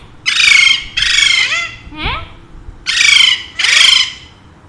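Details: Two pet Alexandrine parakeets, said to talk Urdu/Hindi, while the owner speaks to them: four loud, harsh, raspy squawks about a second apart with a short rising whistle between; no clear words.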